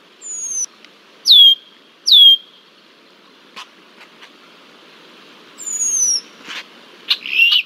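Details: Red-winged blackbird mobbing a bald eagle at Decorah, Iowa, in July 2023, giving a few sharp descending whistles early on, then scattered clicks, a quieter rising-falling whistle and a brief buzzy note near the end.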